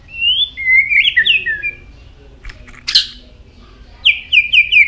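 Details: White-rumped shama singing many varied notes while flicking its tail: clear whistled phrases, a falling slurred run, a sharp burst near three seconds, then a string of descending whistles at the end.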